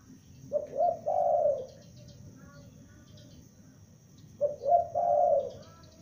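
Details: A young spotted dove, a lure bird, calls twice about four seconds apart, each time with two short low coos leading into a longer, slightly descending coo, over quiet background noise.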